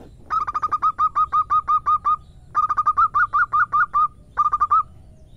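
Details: Local female zebra dove calling the male: bursts of quick, clipped, ringing notes, about ten in a run, then a short pause before further rapid runs of similar notes; background otherwise quiet.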